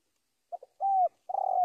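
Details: Spotted dove calling a rival, two tiny clipped notes, a smooth drawn-out coo, then a rough vibrating final note cut off at the end.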